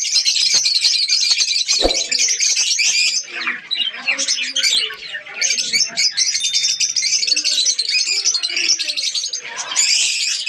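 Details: Many budgies in a breeding colony in Pakistan chattering nonstop, high scratchy twitters with a brief sharp click near two seconds and a short quieter lull around four seconds.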